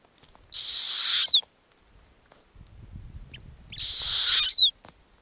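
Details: Arctic snowy owl chicks at the nest, where the mother brings lemmings: a rasping hiss builds for almost a second and ends on a falling squeal, followed after a pause by a second identical screech. Low rumbling sounds in between.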